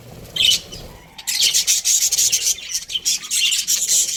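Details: Breeding pair of Australian budgerigars in a cage, a brief chirp followed by continuous dense, raspy warbling chatter, high and scratchy throughout.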